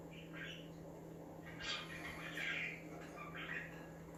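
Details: Chirping budgies meant to make other birds active, a few scratchy warbled notes and squawks spaced irregularly, louder near the middle, with steady background hum.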